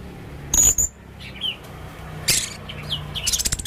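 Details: Male Blue-crowned hanging parrot calling energetically with unusual sounds: a pair of sharp, high-pitched shrieks, faint thin whistles, another sharp burst and a quick run of clicking notes at the end over a low hum.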